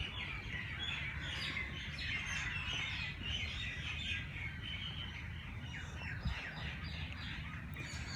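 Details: Many birds chirp together at dawn in Lahore's Jilani Park race course. A busy chorus of short, high twittering notes plays continuously against low background rumble.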